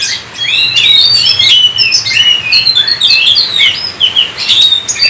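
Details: Kacer, the Oriental magpie-robin, singing gacor-style to prompt other birds: rapid, varied whistled phrases, some rising and some dropping, packed closely together, over a soft low hum.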